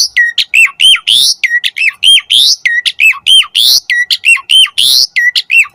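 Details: An Asian pied starling sings hard in a master and lure recording for starlings. Rhythmic cycle of rasps, flat whistles and downward-hooked notes repeated quickly and evenly throughout.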